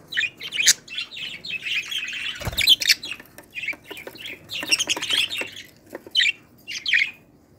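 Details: Budgerigar chicks, a family of pearl budgies, calling indoors in 2018: a busy run of harsh, raspy chirps and squawks, overlapping and irregular, with short bright peeps breaking through near the end.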